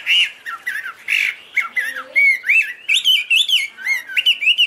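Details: Chinese hwamei (Garrulax canorus), wings and tail waved open, giving loud pure whistled song: rising and falling slurred notes delivered in quick succession, each note a bright looping whistle, rhythm brisk and varied.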